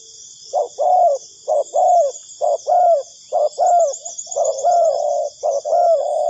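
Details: Spotted dove call used as a lure for dove trapping: a quick run of paired hoots, a short note and then a longer slightly rising coo, repeated about once a second, over a persistent high insect buzz.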